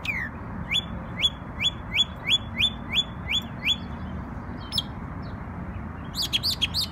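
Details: Bird in New York singing on Memorial Day: a series of about eight quick, upslurred whistled notes at an even pace, then a brief pause and a burst of higher, tumbling notes, over a low background rumble.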